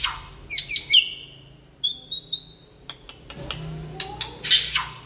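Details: White-rumped shama singing in the late afternoon: bright whistled notes and quick rising and falling slurs, some clear steady tones, then scattered sharp clicks and short chips, with a loud burst of high notes near the end.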